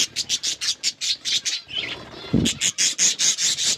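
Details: Hand-tame pet budgies give rapid, evenly spaced sharp chirps, about two per second, broken by a brief softer warble and a low thud.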